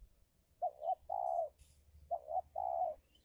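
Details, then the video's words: Spotted dove used as a decoy against a wild bird in Indonesia calls two matching phrases, each of two short coos and a long, level, rolling note, roughly one and a half seconds apart. "Pikat Tekukur (Take down Tekukur Liar) The Extraordinary Batlle For the Tuft of Tension"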